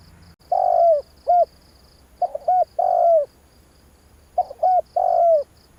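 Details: Spotted dove call used to stir a decoy bird: three low phrases of a long coo followed by a short note, the later ones opened by a brief stuttered double note, over soft high ticking.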